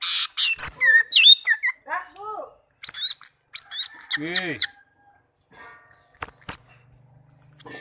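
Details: Tame pet orange-headed thrush singing; bursts of high, sharply rising and falling whistled phrases and clicks, with lower downslurred notes in the middle, separated by short silences.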